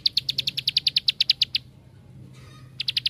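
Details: Bar-winged prinia song meant to draw other prinias to sing: a rapid, even series of high ticking notes for about one and a half seconds, a pause, then a short burst resumes.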